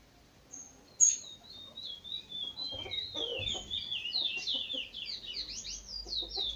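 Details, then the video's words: Dawn song of a chestnut-bellied seed finch, a sharp high note and then a flowing run of descending whistles rising into quick looping trills, with low rumbling noise beneath. "Amanhecer ao som de pássaros"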